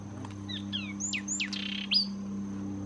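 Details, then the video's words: In Cuba's Zapata Swamp, a Zapata wren gives loud downslurred whistles and short sharp notes with a brief buzzy rattle, against a steady low hum and a faint continuous high tone. "Zapata Wren singing in Zapata Swamp, Cuba"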